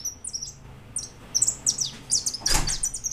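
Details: White goldfinch giving quick, high twittering notes in a lively stream, broken by a brief knock or thud midway.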